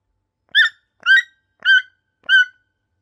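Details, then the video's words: Toucan giving four evenly spaced, rasping croak-like notes about half a second apart, each short with a slightly falling, nasal quality, over a silent background. "Toucan - Sound Effect"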